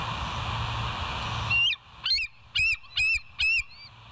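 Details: Bald eagle at West End, live nature cam, 09/12/2023: one rising whistle, then five quick, piercing chirps with bright overtones, spaced about half a second apart, against a faint hum.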